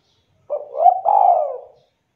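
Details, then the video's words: Spotted dove in full cooing voice, meant to draw answering calls from other doves: a short rising hooted note flowing into a long, throaty, slowly descending coo, clean with no other sounds. "DERUK DERKUKU TEKUKUR GACOR BIKIN DERKUKU APAPUN AUTO LANGSUNG NYAUT DAN GACOR"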